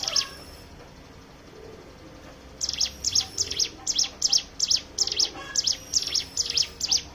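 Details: Hill prinia lure song to make other birds sing: after a near-silent gap of over two seconds, a quick regular series of high sharp double chips begins, continuing about two to three per second.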